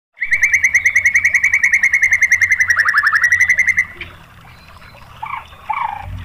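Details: White-rumped shama song used as a lure to provoke other shamas: a loud rapid trill of about 50 short notes near one pitch, gently falling then rising for nearly four seconds, followed by a few fainter scattered notes.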